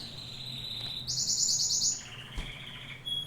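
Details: Singing domestic canary, Serinus canaria: a sustained high whistled tone leads into a bright buzzy rapid trill, then a softer lower steady note, with a short high whistle at the end over faint low hum.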